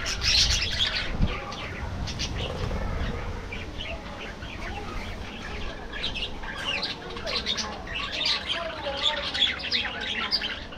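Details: Aviary budgerigars during an afternoon feed: a burst of wing flapping and rustling at the start, followed by lively overlapping chirps and warbled calls from the flock.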